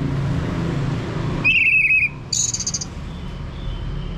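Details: Orange-headed thrush lure song aimed at making a male sing ngeplong: a sustained wavering whistle, then a short buzzy high trill, set against steady low-pitched background noise.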